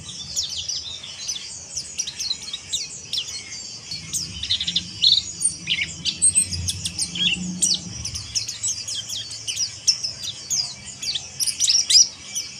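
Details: Quieter stretch of mountain white-eye ngeriwik kasar: continuous thin, high twittering with scattered sharp chips and brief louder bursts, over a low droning hum in the middle section.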